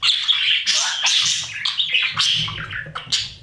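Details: Breeding budgerigars in a nest box, babies being fed: continuous loud raspy chirping and squawks repeated in quick pulses, about two to three per second.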